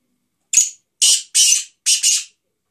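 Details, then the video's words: Black francolin calling: a short harsh phrase of about five rasping, scratchy notes, a brief opening note followed by louder grating bursts in quick succession, with silence before and after. "kala teetat"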